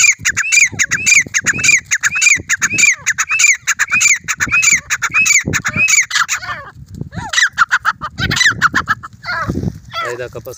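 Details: Grey francolin, desi teetar, during a fight: loud harsh squawking calls with rising-falling notes repeated rapidly, roughly twice per second, later breaking into irregular overlapping bursts with some rustling noise.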